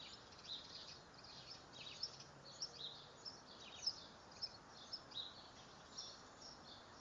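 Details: Dark-eyed junco, slate-colored form, feeding on seeds: a series of short, sharp, high chips at irregular intervals of roughly half a second to a second over a steady background hiss.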